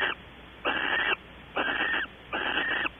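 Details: Barn owl at a nest box at Audubon Starr Ranch, California, recorded by webcam during evening activity that includes mating. Four rough, wheezy screeches, each about half a second, repeat at steady intervals.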